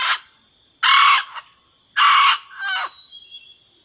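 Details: Calling a rooster, a red junglefowl hen gives harsh, strident, broadband squawks, each lasting under half a second. A softer, tapering note follows. Faint chirps and a thin insect whine remain in the background.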